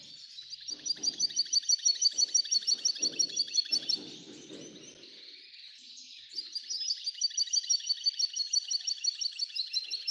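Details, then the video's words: An F1 hybrid goldfinch sings a steady, rapid twitter of high chirps that fades briefly, then resumes. Faint low knocking sounds are heard early on. "Belo canto do F1"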